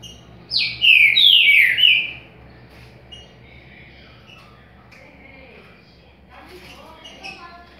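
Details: Paraguayan trinca-ferro, a green-winged saltator, delivers a loud rich burst of several quick whistled, slurred notes lasting about a second and a half, followed by a long stretch of faint chirps and soft background sounds.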